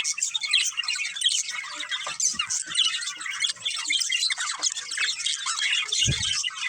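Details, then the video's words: Budgerigar breeding pair chattering in a dense, scratchy high warble of squeaks and short chirps, steady throughout, ending with a brief low thud near the close. "Beautiful Budgies Chirping Sounds"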